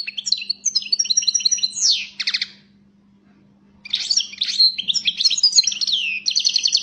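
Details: Fired-up European goldfinch (Carduelis carduelis) delivering lively tinkling, twittering song in two bursts separated by a short pause, mixing liquid chirps, downward swoops and fast buzzy rattles, with a faint constant low hum underneath.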